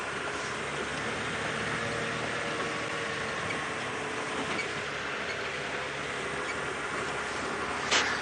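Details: Steady engine drone of a vehicle on an early-morning safari drive, with a broad hiss throughout and a short sharp click near the end; no animal calls.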